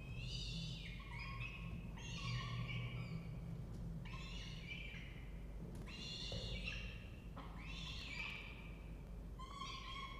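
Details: Peregrine falcon family at a nest box in a water tower at Charles Sturt University, Orange, New South Wales, Australia, morning of 2 November 2024. Nestlings are about four weeks old. Drawn-out, harmonic wailing calls come in five bursts over a low steady hum.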